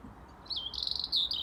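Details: Robin song from a Dublin garden in February, high thin notes sliding and wavering, then a quicker trilled passage and a brief bright ending phrase.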